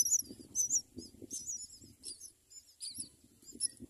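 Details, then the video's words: Myna parents raising four chicks at the nest: thin, high, scratchy chirps come in quick uneven bursts, over a soft low rumbling background. "Myna birds, raises four children"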